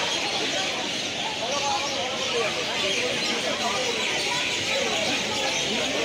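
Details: About a thousand mynas roosting at night in a kadam tree at Ranaghat station make a dense, unbroken din of overlapping harsh chatters, squawks and sharp whistles, as a shopkeeper chases birds off his shop.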